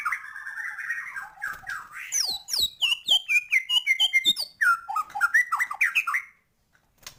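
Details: Gacor white-rumped shama song full of isian fill-ins: warbling whistles, then a quick descending series of sharp high notes repeated several times per second, ending in bouncy slurred whistles.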